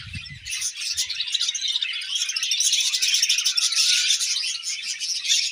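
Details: Budgies chirping in the morning: a dense, continuous flock chatter of high twittering and warbling notes, swelling slightly louder toward the middle, with a brief low thump at the start.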